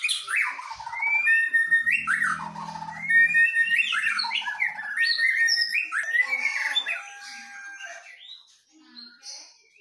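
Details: Medan white-rumped shama versus a forest-caught Nias shama in a song duel. A long, loud, varied stream of whistles, slurs and chattering notes, with a low hum early on, fading toward the end.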